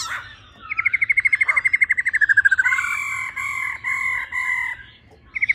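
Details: Female laughingthrush giving its 'ro ro' song, used to quickly excite males: a fast, even trill of pulsed notes slowly falling in pitch, then three or four long, steady, ringing notes with strong overtones.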